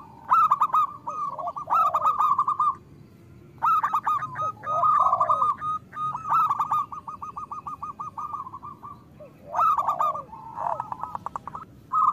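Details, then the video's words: Zebra doves in a lure recording for slow-singing local birds: phrases of rapid pulsed coos separated by quiet gaps, with a few low falling notes and overlapping singers. "Perkutut lokal gacor Suara Besar Pancingan Dijamin Langsung Gacor"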